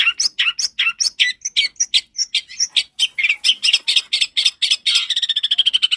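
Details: Loud, clear long-tailed shrike song as a lure for young birds: harsh notes mixed with short whistles, ending in a fast, even trill.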